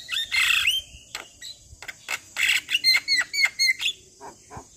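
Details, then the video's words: Javan myna singing as a lure and tutor for other mynas: harsh raspy bursts open, then scattered clicks, then five bright two-toned whistled notes in a quick even row. "JAlak kebo GAcor Full Isian Masteran Jalak Kebo - PAncingan Semua Jenis Jalak"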